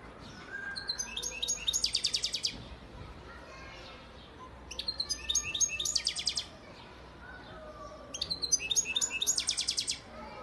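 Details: European goldfinch father bird from Antalya, Turkey, recorded 2018, singing three separate bursts of tinkling twitter that build into fast, buzzy rattling trills, each about two seconds long with quiet pauses between.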